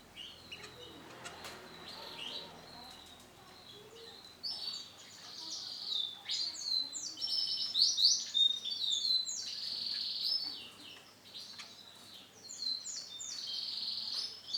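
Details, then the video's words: Male bottle-green canary singing: quiet scattered chirps at first, then a rising run of bright, varied warbling and rolling trills in quick succession, with a low steady hum beneath. "CANARY JANTAN WARNA HIJAU BOTOL"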